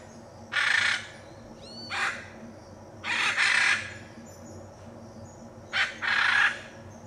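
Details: In the Pantanal of Brazil, a Hyacinth macaw gives loud raspy squawks, some doubled, with a short rising whistled note between them, over steady low background noise.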